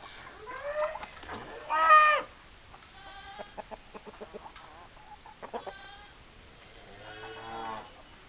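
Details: Hens and roosters: a loud, sharp squawking call opens, followed by strings of quick clucks and several stretched, nasal harmonic calls, with quieter gaps between.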